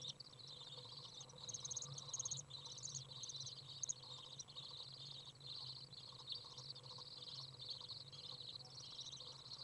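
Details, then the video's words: Very warm day, 30 degrees, 27 June 2011: fledged Common Swift young out of the nest as a parent comes in to feed. Softer high buzzing trills in rising and falling bursts with a few sharper notes, steady low hum behind. "Common Swift young out of the nest, warm, feeding"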